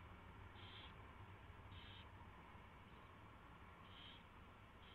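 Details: Owl at its nest during feeding after a mouse delivery, 24 February 2016 at 4:21 AM; four brief harsh hissing notes, two early and two late, with a quiet gap between, over steady rumbling hum.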